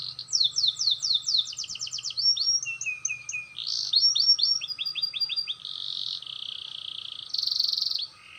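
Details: Young-learning canary practising its roll, clear-voiced: rapid series of downslurred whistles, chattering phrases, then sustained rolled trills at varied pitches, in a quiet setting.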